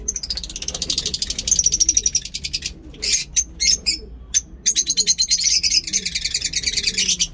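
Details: Captive lovebirds in an aviary setup of breeding and normal pairs chirp in a dense, shrill chatter of rapid high notes, several birds calling over one another with brief pauses.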